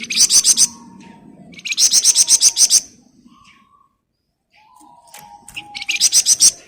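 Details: Lively flamboyan bird in dense ngebren rapat singing: three fast bursts of sharp, high, ringing notes, each roughly a second long, with a brief silent pause midway and a soft low whistle between bursts.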